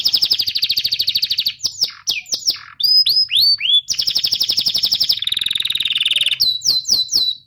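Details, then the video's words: Canary training song meant to stimulate young and non-singing canaries. Rapid trills alternate with swooping whistled notes, a lower buzzy rolling passage, and a closing series of quick falling notes. "Suara burung kenari gacor Pancingan kenari paud kenari macet bunnyi"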